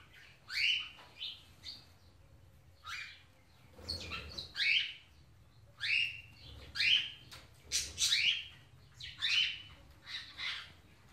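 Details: Indian ringneck parakeet, kept as a pet, greets an African grey parrot fondly: a rapid series of loud, rasping rising calls, roughly ten in eleven seconds, broken by short pauses, with a faint low rumble underneath.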